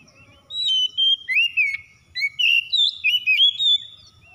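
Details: Kept Oriental magpie-robin in full song: a flowing sequence of loud, clear whistles with slides and quick inflections. Two phrases are separated by a short pause, over a soft low-pitched background noise.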